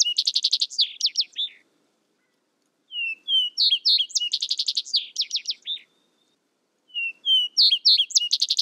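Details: Repeated songs from a Vesper sparrow. Each starts with a couple of plain whistles, speeds into dense, rattling trills and finishes with falling slurred notes. Silent gaps of about a second separate the phrases, in a quiet setting.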